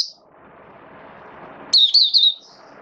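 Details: Caged Oriental white-eye kept as a hobby songbird, its diet adjusted for wet rainy weather, recorded 8 October 2022: a short burst of high, thin, rapidly warbled notes lasting under a second, after soft low background hiss.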